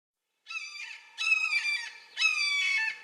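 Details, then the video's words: A Red-shouldered Hawk gives three loud, harsh, ringing screams, each slightly down-slurred, about one per second. "Red-shouldered Hawk - Bird Sounds"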